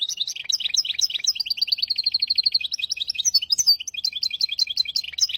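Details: Hybrid finch tutor song in hafada and widani styles for teaching goldfinches and canaries: dense high twittering, a clear rapid trill of even notes, then lively varied chirping phrases throughout.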